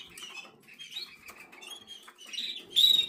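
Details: Eleven-day-old black red mosaic jaspe SD canary giving high, thin, squeaky chirps in quick irregular bursts. These build to a louder shrill sustained squeal near the end, over soft rustling.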